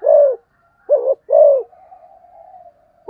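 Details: Spotted dove in the 'thúc gù tốc độ' fast-coo style: three low, rounded coos close together, followed by a faint, drawn-out wavering sound and the start of another coo.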